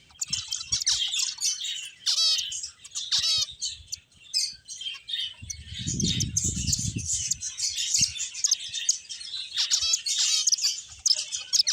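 Several finches chirp busily, a dense overlapping chatter of high, short twittering notes, with a brief low rumble of handling noise midway.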